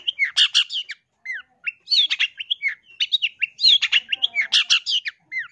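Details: Loud long-tailed shrike song for bird training: rapid harsh buzzy bursts mixed with downward-slurred whistles and scratchy chatter, delivered in busy phrases separated by brief gaps.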